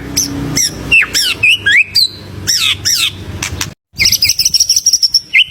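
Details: White-rumped shama with full, energetic song used to lure other birds into singing: sharp, sweeping whistled notes given singly and in quick pairs, a brief silence, then a rapid stuttering run of high notes.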